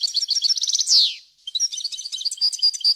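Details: European goldfinch singing a varied song for training chicks: quick rattled twitters rise into a loud descending buzzy note, followed by a jumble of bright, high chirps and whistles.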